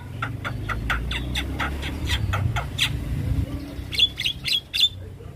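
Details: Javan myna singing to draw a response from other mynas: a run of quick raspy chattering notes over low traffic-like rumble, followed by several sharp high whistled notes near the end.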